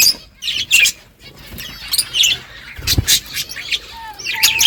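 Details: Budgies chirping while eating: scattered high twitters and scratchy squeaks with clicks, a thud in the middle, and a short low whistle near the end.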